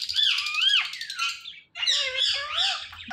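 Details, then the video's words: Pet rose-ringed parakeet talking, imitating a cat: two drawn-out, rising-then-falling nasal meows with rich harmonics, separated by a brief pause. "Ringneck Talking Parrot"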